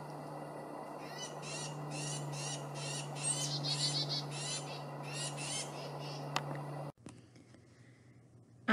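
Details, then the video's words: A group of Carolina chickadees in a small patch of woods in south New Jersey gives a quick run of harsh, buzzy high notes, several per second, over a steady low mechanical hum that cuts out near the end. "i can hear a bunch of chickadees calling back in these trees let's take a closer look and see if we can spot some"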